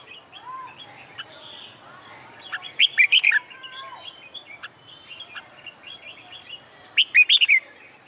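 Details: Red-whiskered bulbul singing in summer sunshine during training for song contests: two loud, warbled phrases of about five quick rising-and-falling notes, about four seconds apart, over a steady chatter of other birds.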